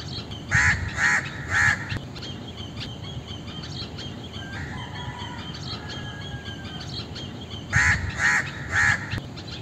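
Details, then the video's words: Indian crow cawing in two bursts of three rough, hoarse notes, one at the start and one near the end, with faint chirps and thin whistles from other birds in the quiet gap between. "Indian Crow Sound - Crow Sound - Crow Soundtrack - Crow Call"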